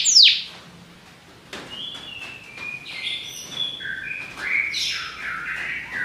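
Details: Belgian canary song in loose fragments: one sharp high downslur, then scattered whistled notes and short warbling phrases at varying pitches with pauses between.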